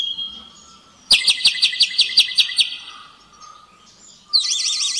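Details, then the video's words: Common blackbird (Turdus merula) in the courtyard of Agios Vasilios church, Nisi, Paralio Astros, Greece, 23 March 2017 at 12:45. It gives about nine sharp ringing notes, then a high, quavering warbled phrase, over faint hiss. "Common blackbird «Turdus merula»"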